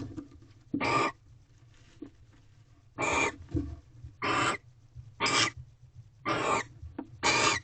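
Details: At a nest box on the evening of 18 February 2023, mating barn owls on their second night make raspy, airy screeches, six bursts roughly one to two seconds apart, with faint scuffs between.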